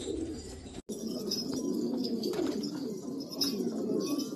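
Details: Black Afghan pigeons from Afghanistan, apparently indoors. Low, rolling cooing runs steadily through the clip, overlapping voices blend into a dense murmur, with scattered clicks and a brief silent gap near the start.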